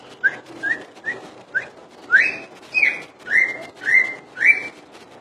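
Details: Common iora in Indonesia singing 'full dor': four short soft whistled notes about every half second, followed by louder, longer upslurred whistles repeated roughly every 0.6 seconds.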